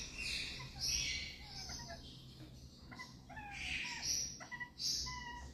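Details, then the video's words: Rose-ringed parakeet chicks kept as pets calling: harsh, raspy high squeals and short nasal rising notes, several overlapping, repeated in bursts over a quiet background. "Filhotes RingNeck"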